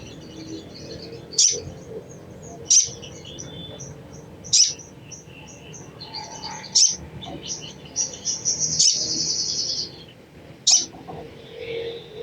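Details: Crimson sunbird chattering, used to stimulate untrained sunbirds to sing; sharp, very high chip bursts every one to two seconds, with a longer buzzy chatter near the end over a low background hum.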